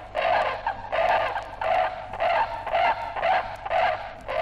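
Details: A pair of brolgas recorded in Australia, giving loud, harsh trumpeting calls repeated about every half second in a steady rhythmic series.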